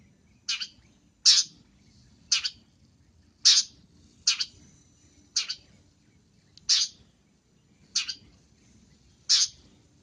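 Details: Long-tailed shrike sound used for luring: short harsh rasping notes, each a broad burst, repeated about every second across ten seconds with a soft low hum behind.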